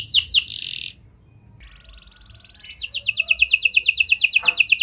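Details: Lure song of a canary meant to set off silent canaries, with prinia and lovebird style phrases: a quick bright trill, a faint quiet stretch, then a loud, regular series of sharp descending notes about six per second.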